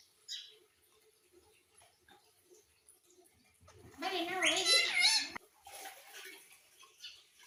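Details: A pet ringneck parrot (rose-ringed parakeet) gives a loud, wavering burst of harsh, voice-like chatter lasting about a second and a half, with faint squeaks and chirps before and after.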